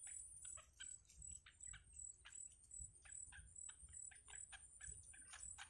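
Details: Fed by their mother in a wild nest, yellow bittern chicks give separate sharp, squeaky calls about every half second, quieter, with a steady high whine and faint low hum.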